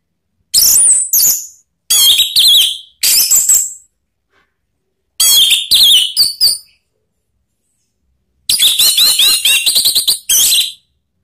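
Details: Orange-headed thrush call, used to prompt other birds into singing: loud bursts of sharp, high whistled notes and harsh chattering phrases in three groups separated by short silences.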